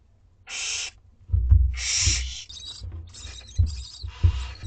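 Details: Two-week-old Barn Owlets at dinner time: two rasping begging hisses, then thumping and scraping nest-box noises with thin high chittering.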